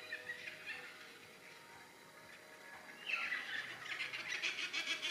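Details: Yellow-tailed black cockatoos feeding on bottlebrush and banksia flowers in Tasmania, Australia; soft grating squawks, quiet at first, then louder harsh rasping calls repeated rapidly in the second half.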